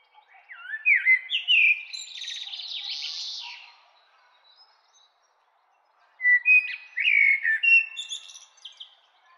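A common blackbird sings two unhurried phrases a few seconds apart, each a mellow, fluty warble that breaks into a higher, scratchy twitter.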